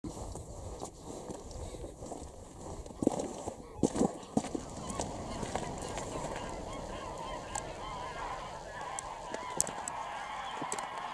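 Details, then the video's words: Many geese calling together at Wicken Fen and Burwell Fen on 23 September 2016 in the evening as a large flock takes off and lands; a dense wash of overlapping honks with a few sharper knocks and clicks. "Lots of Geese take off & land"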